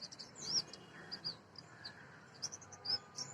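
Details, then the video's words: Oriental magpie-robin, the national bird of Bangladesh, giving thin, high chirps and short sliding whistles in quick scattered bursts over a steady insect-like hiss. "Call Of Magpie Robin"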